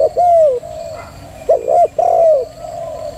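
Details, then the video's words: A female spotted dove coos loudly: a long, slightly falling coo, then a quick doubled note and another long coo that drops in pitch at its end. "chim cu gáy mái thúc gù cực hay"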